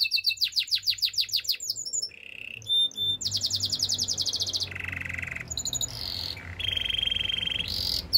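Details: Canary song: a pulsing high trill, then short low rolls, a long dense trill, and bursts of buzzy tones, with a light background hiss.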